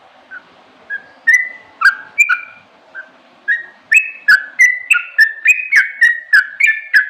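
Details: Sooty-headed bulbul giving a lively run of clear whistled notes, at first spaced and hesitant, then quickening into a steady series of bright paired whistles at about three per second.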